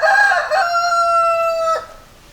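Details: Rooster crowing: a loud, harsh, broken opening gives way to a long, steady, strongly harmonic held note that cuts off sharply after under two seconds, followed by quiet background.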